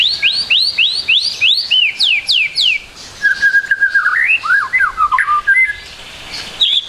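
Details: White-rumped shama song with a full repertoire, meant as a tutor for young birds: a string of rising-falling whistled swoops, then a flat whistle and tumbling slurred notes.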